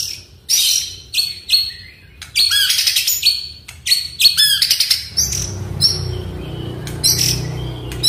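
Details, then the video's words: A white-rumped shama sings a rapid, varied run of loud whistles, chattering trills and harsh notes in short bursts, over a low rumbling hum in the second half, used as a lure to get quiet caged shamas singing. "MURAI DIRUMAH DIEM,//, COBA DENGARKAN KICAUAN INI"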